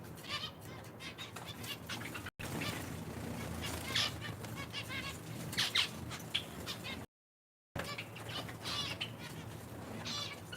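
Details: Caged zebra finches in an indoor bird room shared with Java sparrows and other finches, with chicks and nesting birds. Short nasal, buzzy calls come in quick clusters, overlapping one another above a steady low hum and soft fluttering.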